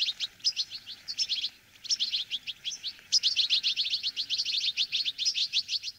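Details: A flock of wintering Bramblings in Czechia, feeding on sunflower seeds, keeps up dense, high chattering, with quick chirps and short twittering notes overlapping almost without pause.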